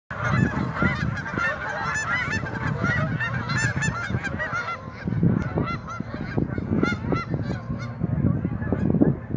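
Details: A flock of Canada geese along the Rouge River honking nonstop, many nasal two-note honks overlapping at once, over a low rumble of wind or moving water.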